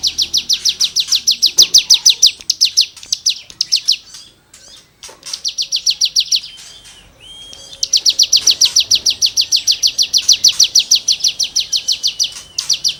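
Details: Cigun delivering lively, shooting-style song used to tutor songbirds: long bursts of quick, piercing high notes at a steady pace, a quieter gap with scattered calls in the middle, then a strong run to the end.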